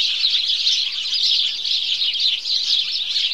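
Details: Morning chorus from a group of house sparrows, a loud, even blanket of high-pitched overlapping chirps with no pauses and no other sounds noticeable.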